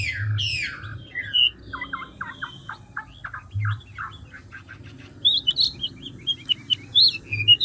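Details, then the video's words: Chinese hwamei, a large old forest bird, singing fast changing phrases: opening buzzy downslurs, a string of short clipped notes, then loud bright whistled rising and falling notes, with low hum behind. "Họa mi ngũ trường đảo giọng tốc độ"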